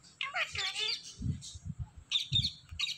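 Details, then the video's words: Talking Indian ringneck parakeet, green parrot, with harsh raspy speech-like squawks at the start and a burst of scratchy chatter near the end, with soft low background music pulsing throughout. "Indian Ringneck Parrot Natural Sounds"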